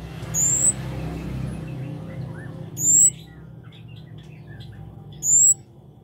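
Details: Kemade or cabe cabean, the scarlet-backed flowerpecker, in lively song: three piercing high whistled notes spaced roughly two and a half seconds apart, with scattered faint twitters between and low rumbling noise early on.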